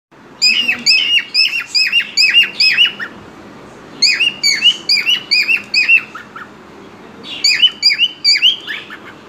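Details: A pet cockatiel in a good mood sings bursts of quick, bright chirps and whistled notes, repeated in three lively runs.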